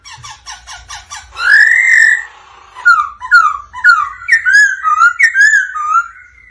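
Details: Black-throated laughingthrush male, caged, singing and dancing to a female's "ro ro" call. Fast ticks give way to a loud rising whistle, then a brisk string of slurred whistled notes, roughly two per second.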